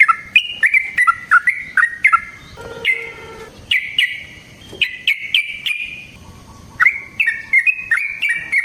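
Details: Yellow-vented bulbul in long fighting song used to provoke other bulbuls: bubbly, liquid whistled phrases jumping between middle pitches, short bursts repeated with brief pauses, a lower hum in the background.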